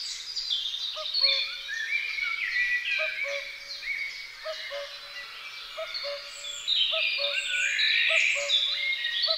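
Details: A pair of great spotted woodpeckers tending their young: a dense, high, chattering stream of calls that swells toward the end, with a short low note repeated every second or two.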